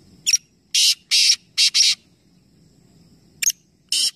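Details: Three black francolins calling together in a competition at Nawabshah, Pakistan; one complete rasping phrase of a double click and four scratchy blasts, then a pause and the opening click and burst of the next.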